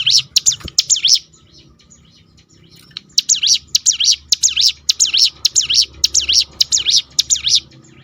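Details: Ciblek gunung 'roll tembakan' song for provoking other birds: two bursts of rapidly repeated high, swooping chirps, a short gap of near silence between them, then a long even run of about a dozen notes.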